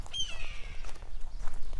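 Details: Red-tailed hawk in the cool of the morning near a nest high above the ground in the American West gives its classic cry: a single hoarse, high scream slurring downward and fading within about half a second, over low rumbling wind and footsteps.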